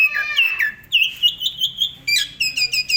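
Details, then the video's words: Asian pied starling singing a varied song meant for tutoring other cage birds: a slurred falling phrase, a sustained high whistle, then a rapid run of short sharp repeated notes. "SUARA BURUNG JALAK SUREN GACOR FULL ISIAN AMPUH buat MASTERAN SEMUA BURUNG KICAU"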